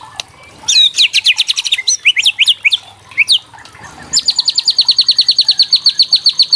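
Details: Murai batu (white-rumped shama) kretekan meant to excite young shamas: quick sharp chirps and downslurred notes in bursts, a short gap, then a long, even series of rapid high chips.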